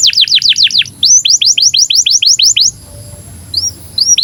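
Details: Canary song in breeding condition, used to teach young canaries to sing and roll: a quick run of falling high notes, then a series of rising-then-falling slurred notes about four per second, ending with sparse single notes.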